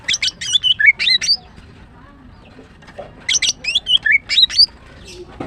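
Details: Chattering phrase of a female greater green leafbird, the green cucak kept for its song and used as a lure for other birds: rapid high chirps run into twisting whistled slurs, the phrase given twice about three seconds apart.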